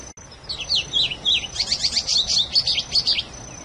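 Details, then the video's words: Wild Plumbeous Seedeater (patativa) singing in the canto mateiro style: a few separate high slurred whistles, then a quick run of bright, buzzy twittering notes lasting about two seconds. A thin steady high tone sounds throughout, with a click at the start. "CANTO DA PATATIVA ( canto mateiro selvagem patativa )"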